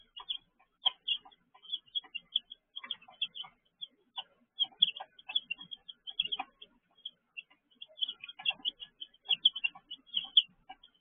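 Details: Baby chickens kept in a brooder peep almost without pause. Many high, clipped chirps overlap in a dense, busy chatter from several chicks calling at once, with only short lulls.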